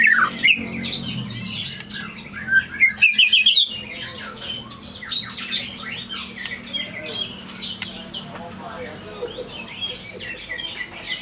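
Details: White-rumped shama of the Aceh type singing a long, varied song: loud whistled phrases, rising slurs and rapid jumbled high notes pour out with few pauses, some sweeping swiftly up and down.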